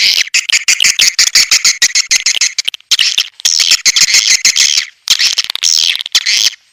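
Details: Swiftlets in a sp. elang Borneo lure recording to attract the birds: rattling, rapid-fire high clicks and buzzy chatter in three long bursts split by short silences.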